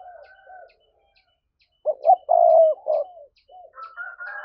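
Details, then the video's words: Spotted dove's driving 'thúc' coo, played to lure wild doves. Soft trailing notes fade into a pause, then a double note, a long loud coo and softer notes. A thin higher whistled tone appears at the end. "Giọng cu gáy thúc hay, anh em mở lên kích bổi rất hiệu quả"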